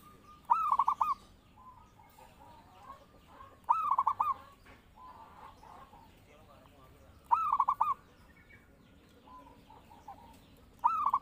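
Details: Zebra dove, singing actively, used as a lure and master tutor for other birds: loud trilled coo phrases near the same low pitch every three to four seconds, with softer, broken cooing between them and a faint background hiss.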